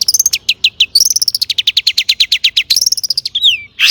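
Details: Long-tailed shrike in lively song with mimicry, a lure for other shrikes: rapid, evenly spaced high chips repeated about ten per second, ending in a descending whistle and a harsh note.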